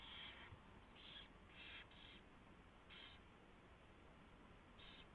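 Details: Before dawn on 24 February 2016, an owl at its nest during mouse delivery and feeding gives loud rasping screech-like hisses, about six bursts, two close together mid-clip, over faint background noise.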